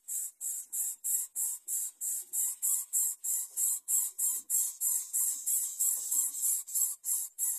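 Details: Greater coucal chicks begging as the parent brings food, with harsh, hissing bursts repeated about three times a second in a steady, insistent rhythm.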